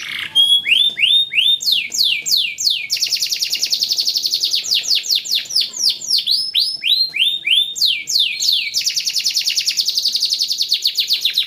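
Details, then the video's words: Yellow canary song for training: alternating runs of swooping whistled notes and long rapid buzzy trills, phrases changing every few seconds. "Yellow Canary Singing Training Makes Your Canary Fast Singing Beautiful and Rocking"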